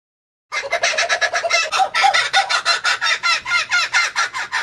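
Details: Laughing kookaburra laughing: after a short silence, a rapid, rhythmic run of harsh, cackling chuckles starts and keeps going. The notes are rich and ringing, pulse steadily about five times a second and swell and fade in waves.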